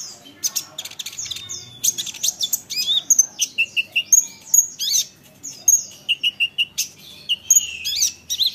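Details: Long olive-backed sunbird isian song intended to draw answers from rival sunbirds: rapid piercing chips, twittering trills and short falling whistles repeated in quick bursts over eight seconds.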